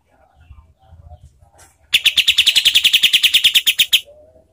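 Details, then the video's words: Cotton pygmy goose call used as a master recording for training contest songbirds, described as a harsh, rapid, tightly spaced sound: a fast burst of about twenty sharp, even notes over two seconds, preceded by faint low rumbling. "SUARA KAPAS TEMBAK untuk MASTERAN BURUNG LOMBA ¦ SUARA KASAR ¦ SPEED RAPAT"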